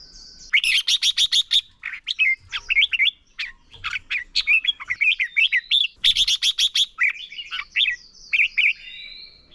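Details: Lure red-whiskered bulbul in fighting-song style, used to train and stimulate other bulbuls to sing: rapid bursts of loud, clipped notes alternating with quick warbled, slurred whistled phrases, dense and continuous throughout.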